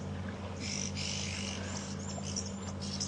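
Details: On an afternoon safari drive at Djuma Game Reserve, South Africa, on 7 March 2015, oxpeckers give harsh, hissing, high scratchy rasps in quick overlapping bursts over a steady low engine hum. The call can warn of nearby buffalo.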